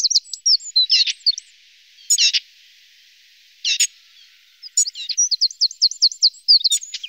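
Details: Lesser spotted woodpecker feeding its young, heard as bursts of sharp, high squeaky notes separated by quiet gaps, then a closing series of quick rising chirps repeated in a tight row.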